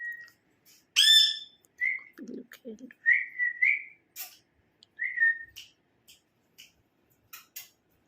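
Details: Indoors, a ringneck parrot gives a sharp, harsh squawk followed by several level whistled notes and soft clicks. A person's voice is heard briefly.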